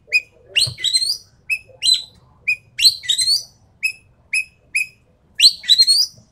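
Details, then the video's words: Javan pied starling in a busy stream of loud whistles: single clear upslurred notes alternating with harsh, buzzy rattling phrases, repeated roughly every half second. "BURUNG EKEK KELING SUARA FULL TEMBAKAN"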